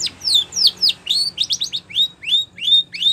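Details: Spanish Timbrado canary training song. Downslurred whistles give way to a run of short rising chip-like notes repeated about three times per second, over a low faint hum.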